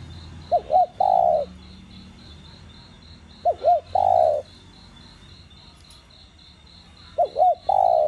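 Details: A spotted dove coos to stimulate captive doves. Three phrases spaced about three seconds apart, each two short wavering notes and then a long, falling coo. A steady pulsed high buzz runs throughout.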